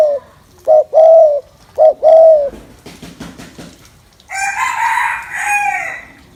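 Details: Spotted dove cooing to excite male birds: deep, hollow coos given in two short-long pairs, followed by a louder, harsher drawn-out call from another bird.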